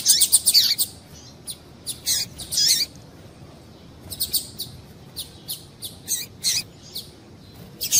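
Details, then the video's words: Double-collared seedeater female calling to excite males: an opening flurry of loud high chirps, a pause, then spaced sharp notes, some falling in pitch, about every half second. "Piado de Fêmea de Papa capim Para Esquentar Papacapim"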